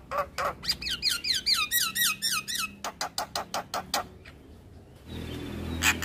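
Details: Javan myna master song rich in fill-in phrases, meant to be played every day: a fast series of repeated upswept chirps, then even rhythmic clicking pulses, ending in a broad noisy rasp.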